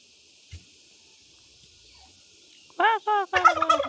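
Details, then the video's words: Turkey hen in a village in Nepal giving a quick run of loud, arched, harmonic-rich kor-kor notes near the end, after a near-silent start with a single soft click. "Turkey 🦃 Hen Sounding Kor Kor Kor"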